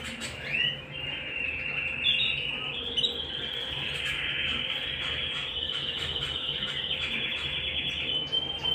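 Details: At home, a canary delivers one long, continuous, high rolling trill that hardly pauses, opening with a few sweeping chirps, over a soft steady hum.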